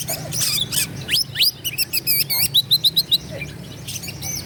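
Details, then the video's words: Oriental magpie-robin pouring out a provocation song for rival birds; a burst of clicks, then steep rising whistles leading into an even series of repeated looped notes, about four a second, closing with chatter. "KACER GACOR LAWAN PASTI NGAMUK EMOSI NARUNG BUKA EKOR"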